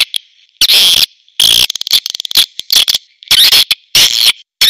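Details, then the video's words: Swiftlet premium calling sound with long, harsh, buzzing trills in separate bursts, linked by short runs of quick ticking clicks. "SP BURUNG WALET PREMIUM"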